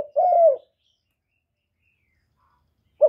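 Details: Spotted dove in captivity cooing to attract wild birds to a trapping site, recorded clean: one drawn-out, smooth, slightly falling coo, then silence before another coo begins at the end.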